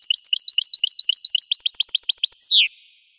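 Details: Goldfinch song: a fast series of short, bright chirping notes repeated in a steady trill, shifting to higher notes midway and ending in a long downward-sliding whistle; clean recording with no background sounds.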